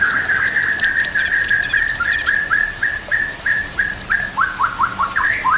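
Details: White-rumped shama song offered for training caged birds, with nature sounds and running water: a long series of repeated short downslurred whistles at one pitch, ending in quicker falling notes, over constant water-like hiss.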